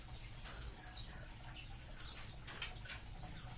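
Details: Short stretch of a munia colony: bright, thin chirps dropping in pitch, overlapping from several birds, over a steady low hum.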